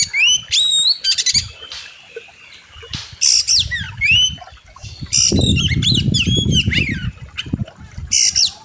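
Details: Oriental magpie-robin singing on a bird-training master recording: bright rising whistles with harmonics, rapid rattles and sharp chips in phrases, with wing-flutter-like low noise in the middle.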